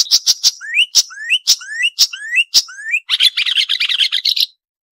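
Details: Varied Marsh warbler song from a noise-free training recording made for songbirds: high sharp notes alternating with rising whistled slurs, then a dense, rapid burst of scratchy chattering before the song stops.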